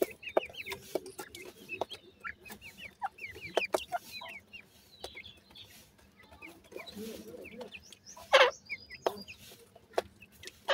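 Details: Indian grey francolin (gora teetar) chicks giving rapid, high, thin peeps, often slurred upward, scattered across the clip in quick bursts, with sharp clicks and taps between them and a softer low murmur.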